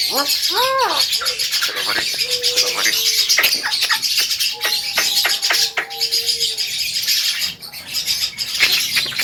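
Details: Male Javan myna, a talking bird, giving a varied string of sounds: arched whistled notes, flat sustained tones and sharp clicks, over constant high hissing background noise.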